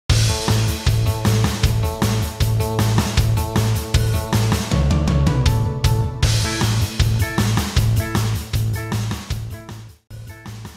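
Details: Loud rock music with a pounding bass line, steady drum beat and guitar, and no animal calls.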